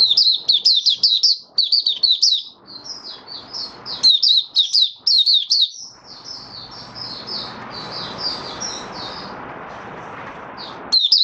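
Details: Oriental white-eye kept in a cage, singing openly five days after monthly deworming in January 2022; bursts of fast, high, tinkling chirps about twice a second, then a longer run of softer warbled notes over steady hiss.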